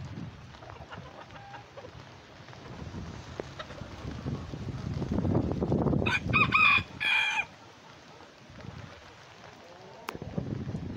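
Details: Bantam chickens, rare Lavender Old English Game, mille fleur and silver duckwing, out in the rain during Tropical Storm Beta, hunting worms; a short harmonic call bursts out midway over steady rain patter and low rumble.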